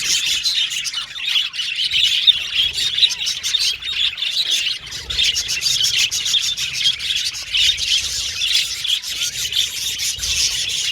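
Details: A flock of budgies chattering to each other, an unbroken, bubbling high warble packed with tiny chirps and fast clicking ticks, fairly even in loudness throughout.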